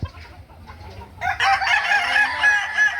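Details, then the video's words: At a Kukuak Balenggek crowing contest practice in Ampang Kualo, Kota Solok, May 2024, quiet low clucks give way after about a second to loud, stacked, wavering crows from several roosters. "Ayam kukuak balenggek"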